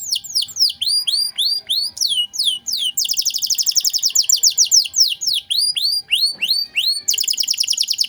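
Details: Canary singing energetically in the 'cengkok mewah' style used to tutor cagebirds: rapid series of high sweeping chirps, about three per second, breaking into dense fast rattles and trills.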